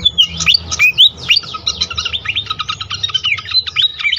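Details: Pied fantail song used to make other fantails sing: clear swooping whistled notes at the start, then a quick series of thin chirps, with a soft low rumble underneath.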